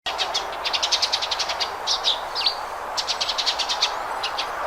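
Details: Sparrow chirping: rapid bursts of short, bright chirps in quick series, with a couple of slurred downward notes between runs, over a steady background hiss.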